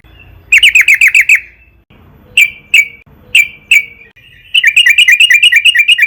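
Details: Yellow-vented bulbul singing actively, a long lure recording to prompt other bulbuls to sing: bursts of rapid, bubbly chirped notes repeated about three per second, separated by short pauses and single sharp notes, with faint low hum beneath.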